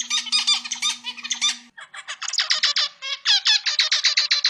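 Zebra finch song: a fast run of harsh, nasal, buzzy notes repeated in quick succession.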